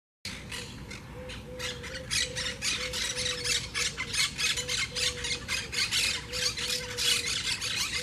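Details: Wild Quaker or Monk parakeets at a huge twig nest in a palm tree by the beach in Southwest Florida, a noisy colony; harsh, rasping squawks repeated rapidly, about four per second, with a steady low hum underneath.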